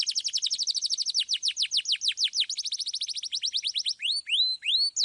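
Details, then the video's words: Clear-voiced canary rolling through a rapid trill of descending notes that gradually slows, ending in a few loud rising whistled sweeps; sung as a lure for young canaries. "KENARI GACOR Suit Suit Ngeroll Suara Jernih"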